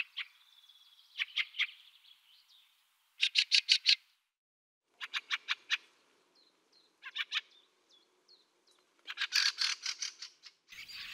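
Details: Fieldfare (Turdus pilaris) giving harsh, dry chattering calls in rapid bursts of four to six clicks. The bursts are repeated about six times, with a few thin, short notes in the gaps, against a quiet background.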